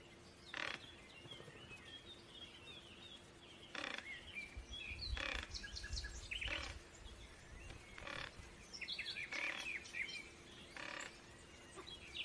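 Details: Black-billed mountain toucan (Andigena nigrirostris), call.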